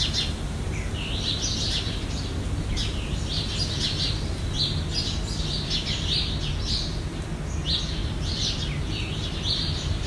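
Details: Harsh, raspy screeches of Jandaya parakeet, recorded in Brazil, come in bursts with short gaps, some notes clipped and rising, over a loud, steady low rumble throughout.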